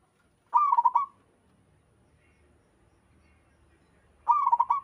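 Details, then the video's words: Local wild zebra dove singing in the open, with others answering: two rapid, bubbling bursts of stuttered coos, each about half a second long and separated by a few seconds of quiet. "Suara burung perkutut lokal alam gacor sekali putar lainnya ikut nyahut"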